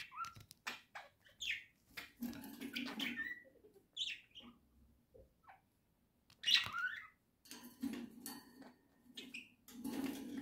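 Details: Pet budgerigars in a home flock, October 2024, singing a long uneven warble of chirps, squeaks and harsh notes in bursts with short silences and low muttering between.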